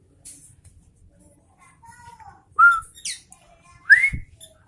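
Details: Sooty-headed bulbul song with soft, sparse notes at first, then two strong, rising whistled slurs about a second apart, with a low thump between them.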